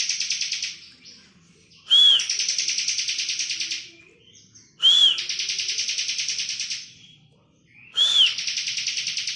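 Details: Bar-winged prinia in lively ngebren song, intended for training other songbirds. It opens mid-trill, then three more phrases follow, each a brief clear whistle running straight into a long, rasping, rapidly pulsed buzz.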